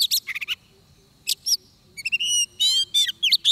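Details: Oriental magpie-robin recorded while trapping, fighting-song style: scratchy chatter, then separated chirps, a stepped sequence of clear notes, a buzzy descending sweep and bright whistled phrases, over a faint low hum.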